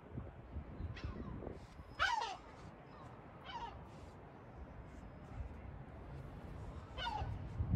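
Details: Sea gull at Batumi, Georgia: several hoarse, mewing calls that slide downward, each about half a second long and spaced irregularly, heard over a steady low rumble of background noise.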